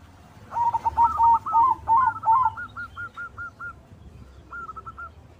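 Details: Zebra dove of white colour form, singing to prompt other doves to sing and raise their breeding mood: fast chain of short clipped cooing notes, a pause, then a brief rolling trill.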